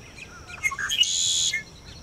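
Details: A Red-winged Blackbird at Wakodahatchee Wetlands, Florida, on 22 May 2012 sings its morning song around sunrise: a few short clucking notes, then a harsh, buzzy trill held for about half a second. Faint chirps from other birds sound behind it.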